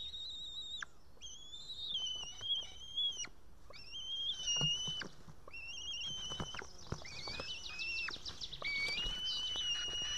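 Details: White-tailed eaglet on an Estonian nest, 8 June 2018 around 6:54 pm, calling for a parent to feed her: drawn-out high whistles, level then falling off, with some rapid quavering notes and nest rustle.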